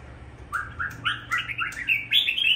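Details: Caged pet Red-whiskered Bulbul in Vietnam, kept mainly for its singing: a quick run of short, bright chirped notes stepping upward in pitch, about nine notes in two seconds, over a faint low hum.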